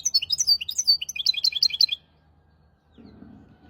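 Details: Hybrid finch tutor song for goldfinches and canaries, maestro, hafada and widani style: about two seconds of quick, bright, varied chirps and twitters, followed by silence and a faint low rustle.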